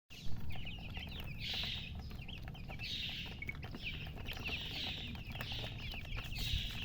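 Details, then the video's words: Just-hatched chicken chicks chirping loudly, short high peeping notes coming in bursts and overlapping from several chicks, over a steady low rumble of background noise. "Tot Murgi chicks chirping sounds Just Born Baby Gallina FRACAS Chicks Piar Loudly Sound"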